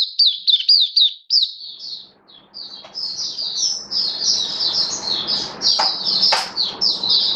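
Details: Caged Oriental white-eye in song, October 2022: clear sweeping notes for two seconds, then a denser, scratchier stream of high chatter over rising background noise with a couple of sharp clicks.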